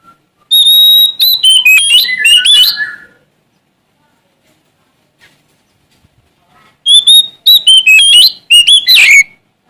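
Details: Oriental magpie-robin of the Sumatran form, in full gacor song seeking an opponent. Two rich phrases of sharp whistles and rapid slurred trills, separated by about four seconds of silence.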